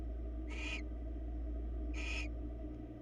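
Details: A pair of short, breathy hissing screeches, about one and a half seconds apart, from barn owls on a live Florida camera, against a steady low drone.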